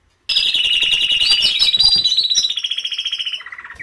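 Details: Canary song used to get silent canaries singing: a sudden burst of a loud, rapid, buzzy high trill. It slows into distinct pulses, then drops to a lower rattle at the end.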